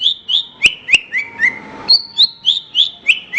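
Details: Horsfield's bush lark (branjangan) singing in a master recording for training other songbirds: bright chirped notes repeated about three times per second, sliding slightly down, over a faint steady tone.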